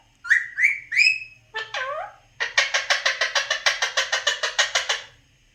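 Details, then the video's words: Mimicking speech, an Alexandrine parakeet gives three rising whistled notes and a swooping phrase, then a fast, steady burst of around twenty rasping clicks. "alexander parrot talking"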